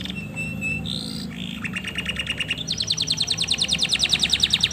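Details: Male canary singing to call a female to mate: steady high whistled notes shift pitch, then give way to a fast, regular, rising trill of sharp repeated notes, with a faint low hum underneath.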